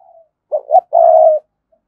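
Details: Single spotted dove phrase meant to excite wild doves: after a faint trailing note, two quick low rising coos lead into a long, even, purring coo.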